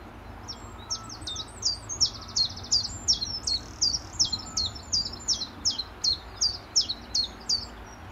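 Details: Early-morning common chiffchaff in March 2014 at a farm along a greenway in Letchworth, in spring, flicking about and preening while singing: a long run of sharp, high chipping notes, about two or three per second, in a steady alternating rhythm.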